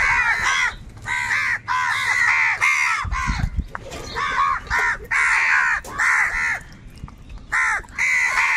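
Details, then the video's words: Crows fighting for food give harsh, rapid caws, several birds overlapping in bursts of two to four calls with brief gaps, and a low thud midway. "কাকের ডাক Crow Sounds - Crow bird live Crowing Sounds"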